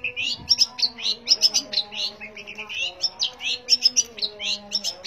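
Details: Long-tailed shrike song: rapid, varied chattering and sharp whistled notes in dense bursts, some rising and falling, with a low steady hum beneath.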